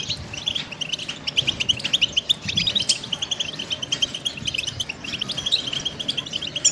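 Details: Goldfinch song used to train songbirds: fast, bright twittering with repeated high chirps and tinkling trills, a few sharp accented notes, and a steady low rumble behind.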